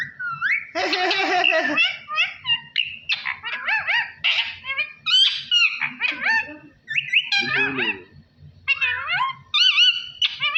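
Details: Parrot chattering Allah Hoo in a dense, continuous stream of high, bright syllables, harsh buzzy bursts and wavering whistles with barely any gaps.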